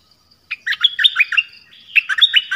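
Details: Dok Taeng bird song: after brief silence, a jumbled, lively phrase of quick warbled and chirped notes that rise and fall, run together for about two seconds, with a short gap midway.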